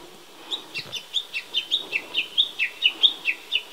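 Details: Japanese bush warbler in spring, near a persimmon tree in fresh green leaf: a rapid run of clear two-part whistled notes, each dropping from high to lower pitch, about fifteen in under four seconds, growing louder toward the end.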